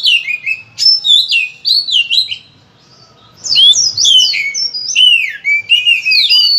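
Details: Oriental magpie-robin singing a persistent varied song for coaxing other birds into song: clear downslurred whistles and quick chattering phrases in rapid series, a two-second pause, then denser slurred whistling.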